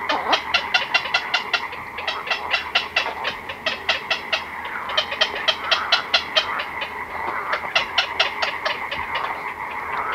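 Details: Close recording of a black-crowned night heron colony at night, chicks and adults together: bursts of sharp, clicking notes in quick runs with short pauses, set against a constant busy chatter of the colony.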